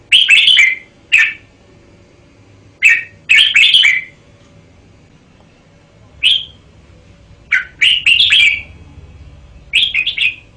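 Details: Red-whiskered bulbul song: bursts of bright, liquid, slurred whistled phrases, some short single notes and some quick three- or four-note runs, separated by pauses of one to two seconds against a faint low hum.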